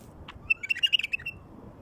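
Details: One bubbling phrase from a wild bulbul, about eight rapid whistled notes rising and falling, played to attract wild bulbuls; soft hiss underneath.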